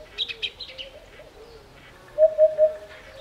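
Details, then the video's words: Low, mellow 'hoo-poo-poo' triplet from a Eurasian hoopoe recorded in the African bush of Botswana, sounding late in the clip, preceded by brighter twittering of other birds and a faint wavering low call. "Hoopoe Call - The sounds of a Eurasian Hoopoe calling"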